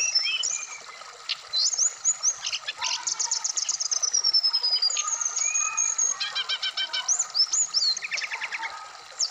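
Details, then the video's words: Varied song of a Black-throated laughingthrush from Indonesian bird-keeping therapy audio aimed at wikplong singing. Long descending whistled slides and rapid ladder-like trills follow one another, with a short lower stuttering series. "terapi srdc biar cepat bunyi wikplong Dan gacor full variasian"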